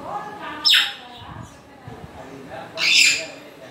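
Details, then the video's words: A pair of harsh grey parrot screeches roughly two seconds apart, the second one longer and noisier, over a quiet background. "african gray parrot sounds"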